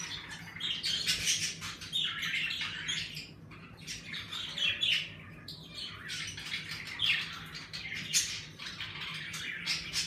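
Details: Budgerigars kept as pets in a bird room chatter steadily for ten seconds, a dense mix of warbling chirps and rasping squawks from several birds at once, energetic in the warmer season, over a constant low hum.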